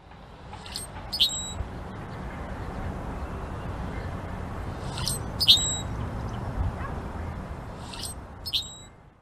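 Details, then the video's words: A blackbird gives three short bursts of sharp, high chirps a few seconds apart over a steady low rumble of background noise. "Black Bird Chirping"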